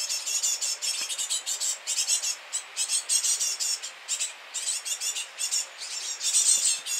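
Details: Great tit chicks at feeding time: loud, hissing high-pitched bursts repeated rapidly in rhythmic pulses, several per second, with short gaps throughout.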